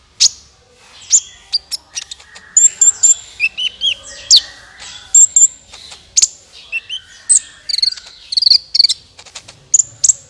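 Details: Sunbird lure calls for trapping birds: a lively, irregular stream of sharp, high chirps, buzzy twitters and short whistles.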